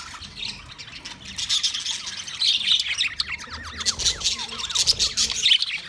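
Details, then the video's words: Budgerigars, Australian parrots, recorded 13 March 2024: dense overlapping chatter of many birds, with rapid high chirps, squawks and warbling, and short downward-sliding whistles repeating through the clip. "Beautiful Australian Parrot sounds Budgie Sound"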